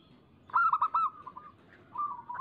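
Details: Local zebra dove song for luring other doves to sing: after a quiet start, a loud quick run of pulsed cooing notes sliding into a level trilled coo, then a softer second coo.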